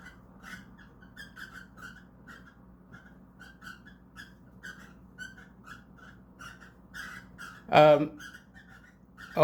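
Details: Cockatiel calling indoors while a pair mates, a steady run of short, squeaky chirps, a few each second, over a low indoor hum, broken near the end by two loud bursts of human voice.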